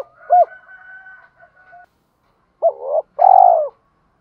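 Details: Decoy spotted dove cooing to attract wild doves, 'chiêu hai hậu' style. An arched coo over a steady faint tone, a pause, then a stuttered coo and a long trembling croo falling in pitch.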